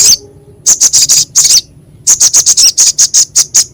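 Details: Crescent-chested babbler, kept songbird, in a training recording with a harsh, sharp voice used to restore stressed or quiet birds: bursts of rapid, dry, very high chips, a short run then a longer run of about ten notes.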